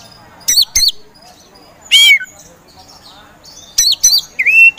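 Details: Oriental magpie-robin, a caged contest songbird, gives short loud bursts of steep downswept whistles with pauses of about a second between them, ending in a rising whistled note.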